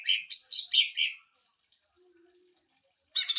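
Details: Greater green leafbird song used to train and provoke other birds: five loud warbling buzzy notes in about a second, a quiet gap, then the start of another fast burst.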